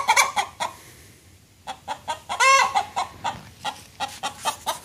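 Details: Chickens sound the alarm, apparently at a great blue heron standing by the pond: a burst of sharp, repeated clucks, a short pause, then a drawn-out rising squawk followed by more rapid clucking.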